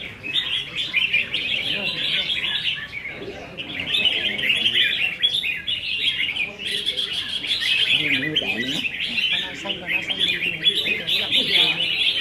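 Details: Contest practice among caged red-whiskered bulbuls, dated 15 May 2021; bursts of quick, bubbly chirped phrases repeat every second or two, overlapping from several birds, with faint voices in the background.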